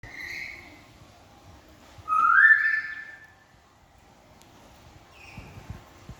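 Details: Hungry cockatoo begging: a loud, harsh, rising screech lasting about a second, with softer whistled notes before and after against a quiet background.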